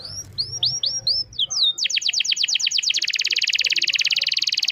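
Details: Atlantic canary song in the Indonesian nglemak style, a series of clear rising whistled slurs followed by a rapid buzzy trill of notes repeated about twice a second, soft low background hum.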